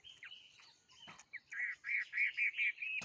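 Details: Short burst of bird song: a thin drawn-out whistle, then a few slurred notes followed by a rhythmic string of five or six bright, clear chirps, over faint background noise.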